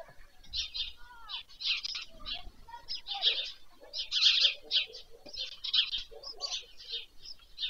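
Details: On 21 July 2024, white stork chicks are fed at dusk on a nest near Pyriatynskyi National Nature Park, Ukraine, recorded from a livestream. A steady stream of rough, hissing bursts grows louder midway, with scattered lower chirps beneath.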